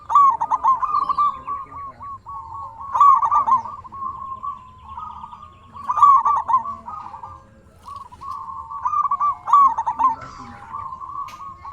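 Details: Lure song of a local zebra dove for prompting silent doves to call: cooing purrs interrupted by clusters of quick trilled notes at roughly three-second intervals.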